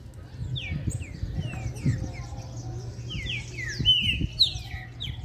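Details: Green-winged saltator, or trinca-ferro, in a long song sequence: clear whistled notes slurring downward, given in short runs over steady low hum and occasional knocks and speech.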